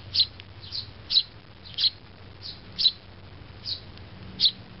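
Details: Still-fluffy sparrow fledglings together with their mother; sharp high chirps sound singly, roughly one every half second to second, over a faint low hum.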